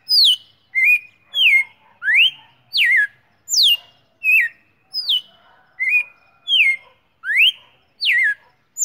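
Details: A red-cowled cardinal named Marimbondo R9 sings loud, clear whistled notes, some sharply falling and some rising, one to two per second, on the morning of 19 September 2019. Quiet background.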